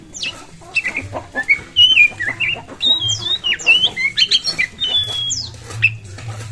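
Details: Oriental magpie-robin song used to provoke other birds into singing; a lively string of clear whistles, upslurred and downslurred notes and scratchy fragments, steady and loud, with a soft low drone in the background.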